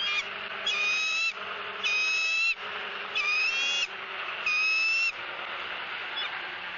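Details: Female bald eagle squawking at a southwest Florida nest while the male tears up a fish and offers her pieces; four strong, evenly spaced shrill harmonic squeals, each about half a second long.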